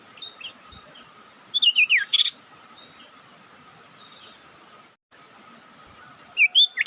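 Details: Bird lure call used to provoke rival birds: a quick burst of sharp, descending whistled notes near two seconds, then a similar bright flurry at the end, over a steady electrical hum.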